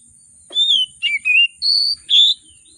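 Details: Agitated oriental magpie-robin in full, richly varied song, meant to stir reluctant birds to sing: five loud whistled notes in quick succession, falling, twittering, level and slurred, over a thin continuous high-pitched drone.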